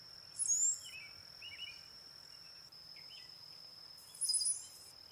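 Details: Two loud, thin high-pitched squeaky bursts from a brown-headed cowbird, about four seconds apart, with faint low slurred notes between them and a continuous insect whine.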